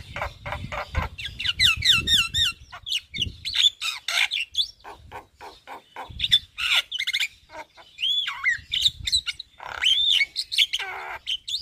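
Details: Javan myna singing by day in front of a house, running through its full repertoire: rapid rattling clicks, rising and falling whistled notes, harsh squawks and a few liquid looping whistles, varied and continuous.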